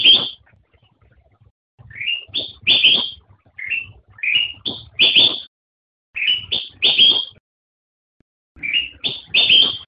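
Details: Black-crested bulbul (Pycnonotus melanicterus) song, a series of bright whistled phrases of two to four quick notes, repeated every second or two with short silent gaps, clean and without other sounds.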